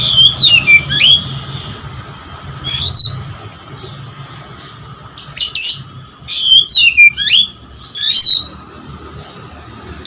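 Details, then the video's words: White-rumped shama singing persistently in full voice, with phrases mimicking lovebird: bright whistled and sharply sliding notes in short bursts separated by pauses, over a steady low hum and background hiss. "kacer full gacor suara ngotot materi lovbit"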